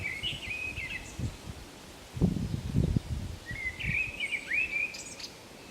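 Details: Common blackbird in song at Zamudio on the Camino de Santiago, 28 March 2019; two rich warbling phrases, each a few whistled notes tailing into squeakier twitter, with thumps and rustles between them.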